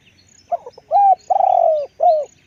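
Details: Spotted dove kept as a calling decoy, with a big voice, coos one phrase: faint stuttered pips, a level coo, an extended pulsing coo falling at its end, then a shorter falling coo. A quiet setting.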